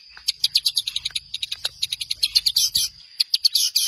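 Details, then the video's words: Long-tailed shrike song used as a training recording for songbirds: a fast, scratchy run of sharp high chirps and clicks, about five per second, over a steady thin high tone, with a brief pause near the end. "Masteran Handal pAsti nempel, tembakan mewah burung Cendet"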